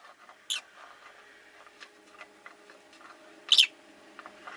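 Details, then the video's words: Caged rosy-faced lovebirds, five pets kept by a window, give two sharp chirps a few seconds apart over steady street noise, such as passing traffic, and faint background twittering. "Lovebird Chirping Sounds"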